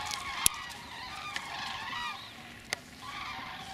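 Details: Common cranes (Grus grus) migrating on 1 November 2015, heard from an apiary: a distant flock gives overlapping rolling, trumpeting flight calls in a steady wavering chorus, with a few sharp clicks in between.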